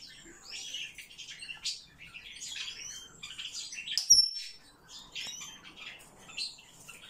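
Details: Eurasian blue tit calling: rapid high chirps and thin whistled notes that slide up and down, several overlapping in quick bursts, with one sharp click near the middle.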